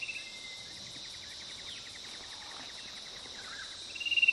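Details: Fan-tailed cuckoo (Cacomantis flabelliformis) giving a descending trill of rapid repeated notes over about three seconds, set against a steady high insect drone, with a louder whistled note rising at the end.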